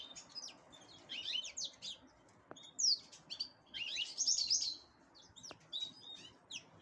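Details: Black-headed canary preparing for breeding, singing a high, scratchy twittering song in busy bursts. Sharp ticks and a steady low background hiss run beneath.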